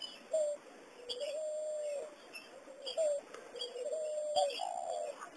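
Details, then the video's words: Cooing of a spotted dove in the giọng đồng vo vo style: a series of soft, low, sustained hooting notes, some rising slightly at the end, repeated in loose phrases with brief gaps, and faint chirping heard behind. "GIONG DONG VO VO"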